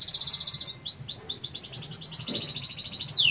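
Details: Canary singing 'gacor', a lively song: a fast, even high trill of buzzy repeated notes, then a run of rolling downslurred notes, ending in a sweeping whistled descending note.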